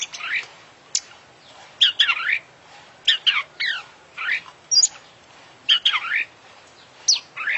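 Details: Constantly singing oriental magpie-robin (kacer), an international champion with a song full of borrowed phrases: separate short bursts of bright chirps and upward-sweeping whistles, each followed by a brief gap, with rasping accents throughout.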